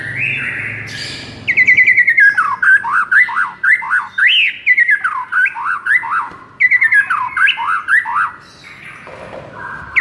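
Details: White-rumped shama song used to rouse a listless shama: a long, varied, warbling series of swooping whistled notes in quick bursts, broken by short pauses.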